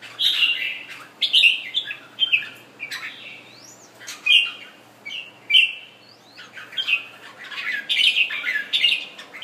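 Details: Red-whiskered bulbul of Thai origin, kept as a pet and just finished moulting, singing bright whistled phrases repeated every second or so, each a quick rising-falling warble with short upswept notes between, in a quiet room.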